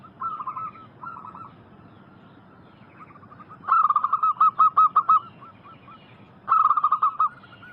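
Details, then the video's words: Lure recording of local zebra doves in full song. Faint stuttering coos at first, then two loud bursts of quick, evenly spaced cooing notes. More distant doves answer in the background. "Masteran burung perkutut lokal gacor"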